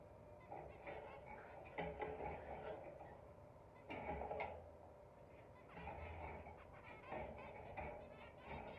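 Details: Zebra finch calls: short, nasal, trumpet-like honks in clustered bursts every second or two over a steady low background murmur.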